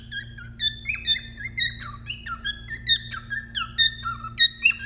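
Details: A male cockatiel inside a nest box, courting a female to stimulate mating, whistles a warbling song of short rising and falling notes, several per second, over a steady low electrical hum.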